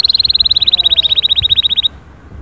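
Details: Canary song, a rapid even trill of about thirty short repeated notes lasting nearly two seconds, then quiet.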